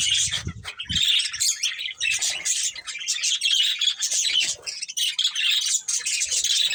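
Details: Colourful budgies chirp together in an animated chorus of scratchy, high warbles and squeaks, with a couple of low thuds at the start.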